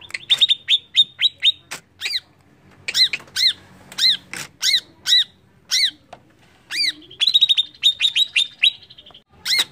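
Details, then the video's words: A greater green leafbird sings bright, high whistled notes: quick rapid trills alternating with repeated down-slurred double phrases, loud and clear against a quiet background. "PANCINGAN CUCAK IJO CEPAT EMOSI"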